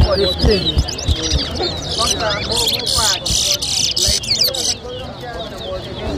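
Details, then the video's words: Competing chestnut-bellied seed finch (towa towa) at a Lusignan, Guyana whistling competition in 2023 delivers fast bursts of thin slurred whistles and chirps, roughly three per second, that fade out near the end, with music and voices behind. "TOWA TOWA BIRD WHISTLING COMPETITION"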